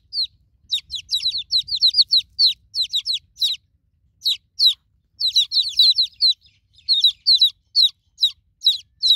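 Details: Newborn domestic chicks calling for their broody mother hen: a busy stream of high, downward-slurred peeps, several birds overlapping in quick bursts with a short pause near the middle.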